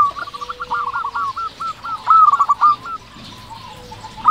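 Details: Local zebra dove singing in a steady, lively way, as used for luring and rousing other doves: a quick run of clipped, evenly spaced cooing notes that builds to louder, fuller coos midway and then fades, with faint background doves.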